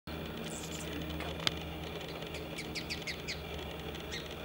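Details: A male Anna's hummingbird sings on a blackberry bush in Gibsons, BC, Canada: a thin, scratchy series of high squeaky buzzes in quick bursts, over a steady low rumble with one sharp click.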